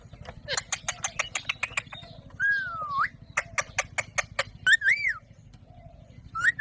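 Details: Alexandrine parakeet producing rapid dry clicks and chirps, then drawn-out wavering whistles that dip and rise, over a constant low hum.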